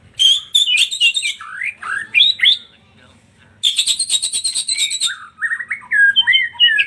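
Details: White-rumped shama song played as a lure to trigger singing, with rich slurred whistles and harsh chatters, then a rapid rattling trill that runs into more fluty phrases.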